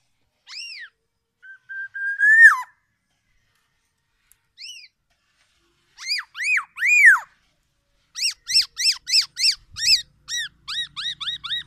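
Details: Loud, distinctive song of a tame, talkative Black-naped Oriole: a clear level whistle ending in a sharp fall, arched ringing notes, then a fast run of repeated bright chevron notes. No other sounds.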